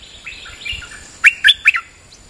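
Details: Bulbul lure call played to attract birds: a few soft wavering chirps, then three loud, sharp, clipped notes in quick succession, each sweeping down in pitch, and a faint trailing note.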